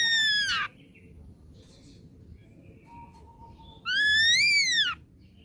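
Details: A young ashy drongo, wild-caught, gives a falling whistled note, faint soft sounds in between, then a loud whistle that rises and then drops, about four seconds later.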